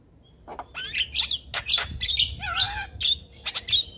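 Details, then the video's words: Javan myna singing a continuous, vigorous tutor-style chatter: mixed whistles, wavering warbled phrases and harsh chips tumbling together without pause. "Ocehan Jalak Kebo Super Gacor Tak Henti Bunyi - Masteran Jalak Kebo Bahan"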